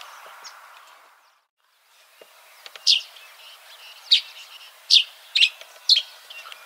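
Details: Yellow-throated sparrow giving a few sharp, high chirps after a quiet opening, spaced about a second apart, with soft background noise.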